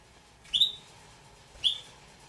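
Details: Pet juvenile Damara red-billed hornbills, two birds: a pair of high, squeaky downslurred notes about one second apart, with a steady faint hum underneath.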